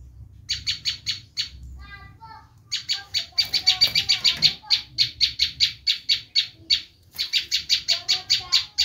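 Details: Bar-winged prinia giving its screaming call, used to lure wild prinias: long runs of harsh, buzzy, rapidly repeated notes, briefly pausing while fainter whistled notes from another bird show through.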